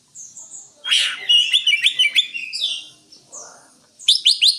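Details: Varied leafbird song: a burst of rich chattering notes, then rapid rising whistled phrases, a short pause, and a quick trio of sharp high chirps to finish; greater green leafbird.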